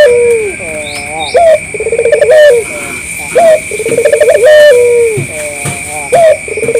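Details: Lure call of a vocal local puter, the collared dove, to make other doves answer. Repeated phrases of rapid rolling notes ending in drawn-out falling coos, broken by short bright hooked notes. A constant high whine runs underneath.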